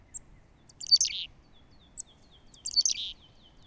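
A chickadee gives its chick-a-dee call twice: thin high notes followed by a burst of buzzy, harsh dee notes. The two calls come about two seconds apart.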